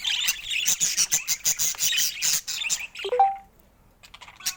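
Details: Colourful pet budgerigars, including rare colour mutations, chatter in quick bright chirps for about three seconds, ending in one short clear whistled note, then near silence with a few faint ticks.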